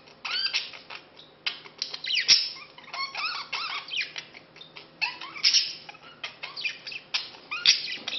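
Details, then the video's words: A male budgerigar courting a female before mating warbles steadily in a fast, high jumble of chirps, squeaks and clicks, with sharper squeals in bursts every couple of seconds over a faint low hum. "Corteggiamento e accoppiamento cocorite"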